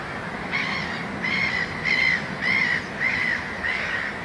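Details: A Eurasian coot at Suomenoja Wetland, Espoo, Finland, 20 May 2011, gives six short, nasal, slightly arched calls, about one every two-thirds of a second, over a steady background hiss.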